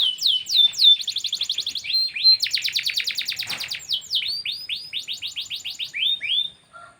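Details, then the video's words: Singing canary, panda-patterned versus yellow: varied high song with downward-slurred whistles, rapid rolling trills and repeated swept notes at several pitches, ending in a short lower note. "kenari panda vs kenari kuning"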